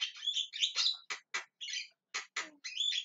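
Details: Javan myna screaming and calling, mixing clear whistled notes with harsh grating squawks and short rasping bursts in a fast, uneven sequence.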